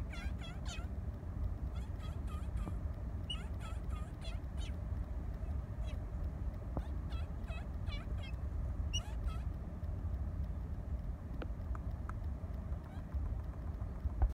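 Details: Exuberant greeting chatter from two Laysan albatross reunited at their nest after a couple of weeks apart at sea. Dense runs of short, harmonic, bending calls fill the first nine seconds, then thin to occasional notes over a continuous low rumble.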